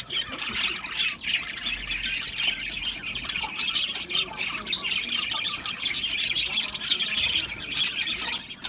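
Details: Australian budgies in a colony aviary, chirping and singing: steady high-pitched chattering warble from many birds, with rapid squeaky notes and a few brighter whistled chirps standing out near the end.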